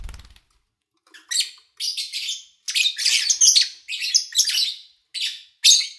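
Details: Pet lovebirds recorded in early August 2019, edited to keep only the birds; after a brief low thump at the start, dense shrill chattering chirps follow in rapid overlapping bursts.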